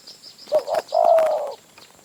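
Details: A wild spotted dove answering a decoy in Phrae province, Thailand, gives one short coo phrase: a brief note, then a longer, even, throaty roll. Faint high insect hiss sits behind it.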